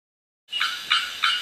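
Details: A bearded bellbird at the Asa Wright Nature Centre, Trinidad, gives three loud, explosive knocking notes, about a third of a second apart, ringing and metallic, with nothing else heard.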